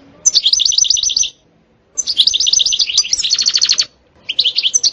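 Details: European goldfinch singing setsta and betbta phrases: evenly repeated rapid trill notes in series, one shifting into a buzzier rattle, with short gaps between phrases.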